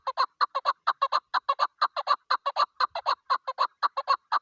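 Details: Chukar partridge, tagged as female and recorded in a hunting context, gives a fast run of harsh clucking chuck notes, mostly in pairs and threes, about two per second, with no other sounds.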